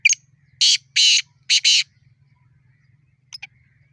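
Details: Fighting black francolin calling: a short raspy opener, then four loud grating notes, the last two paired, ending with faint clicks over a low background hum.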